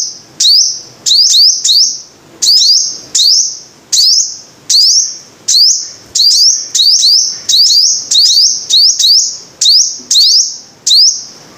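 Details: Rapid, insistent series of very high sunbird phrases from a five-coloured sunbird. Rising sweeps and held thin whistles, often in quick pairs, keep coming in a dense sequence.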